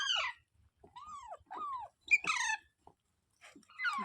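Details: Pet parrot calling indoors: a series of short, squawky, arched notes sweeping down in pitch, with a harsher burst in the middle, separated by brief silences and faint low background noise.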